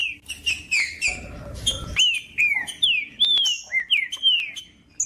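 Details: Green-winged saltator song for warming up a caged bird: a string of bright whistled phrases, mostly falling slurs with some rising-then-falling notes. There is a brief low rumble and buzz near the start.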